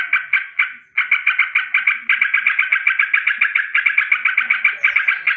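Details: Sooty-headed bulbul alarm in the morning: a sustained rolling rattle of harsh, evenly spaced notes, nearly unbroken after an opening few separate calls.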